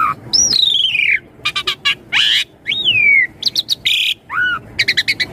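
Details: Lure recording of Asian pied starling song for young birds: long falling whistles alternate with harsh buzzy bursts and quick clipped notes, bright and high-pitched with no background noise.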